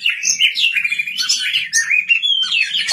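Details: White-rumped shama singing at night: a continuous rich warble of whistled, slurred and trilled notes weaving up and down without a break.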